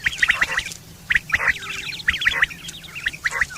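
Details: Quail recorded in September 2023, described as a sound for mating and hunting: clear, sharp whistled notes in quick groups of two or three, many birds overlapping in a dense chorus with rapid chattering between phrases.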